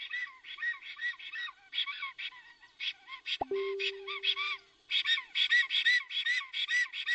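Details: Black stork at its nest in Notecka Forest, Poland, on 17 April 2020, possibly greeting or alarmed: bursts of rapid, squeaky chirping notes, briefly broken by a sharp knock and a steady whistle-like tone.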